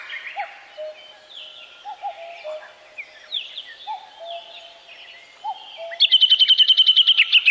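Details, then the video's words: Woodland bird chorus of scattered whistles, with low short notes repeating in the background. Near the end a loud, fast, even trill of bright high notes bursts in and dominates. "Пение птиц в лесу"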